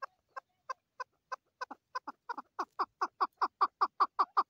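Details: Calls of a female chukar partridge: clucking notes that start spaced and soft, then speed up and swell into a loud, steady run of chuck notes, roughly four a second.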